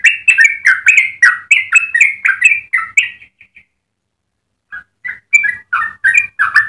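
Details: Yellow-vented bulbul in full song, a long-running melodic phrase used for training other birds: rapid clear whistled notes bouncing between mid pitches for about three seconds, a pause, then the warbling resumes.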